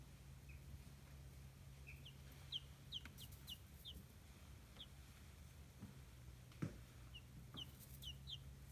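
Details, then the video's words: Chicken chicks on a small free-range farm in Kitahiroshima, Hiroshima, Japan, give short, high peeps, singly and in quick pairs, scattered over a steady low hum and a few soft knocks. "ヒヨコは天使！時間を忘れる可愛さ！Chicks Chirping Sounds"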